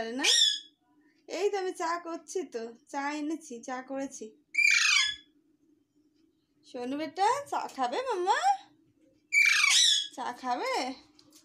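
A young Alexandrine parakeet gives harsh squawks and chattering, speech-like babble with high screeches in between, against a steady low hum.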